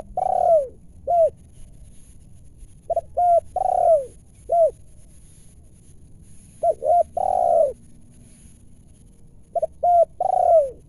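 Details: Wild spotted doves calling in their native area during decoy trapping, with voices both deep and clear. Low cooing phrases of two or three short notes end in a longer, fuller coo, repeated roughly every three to four seconds over faint steady background hiss.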